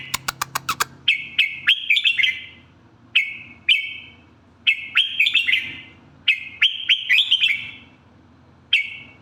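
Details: Red-whiskered bulbul singing short, bubbly warbled phrases in quick bursts, several phrases strung together with brief pauses between them; a run of sharp tapping clicks opens the recording.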